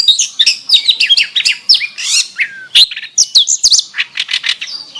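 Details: An oriental magpie-robin sings with canary phrases, delivering quick jumbled twitters and sweeping whistles, then a lower, drawn-out whistle before renewed bright, chattering notes.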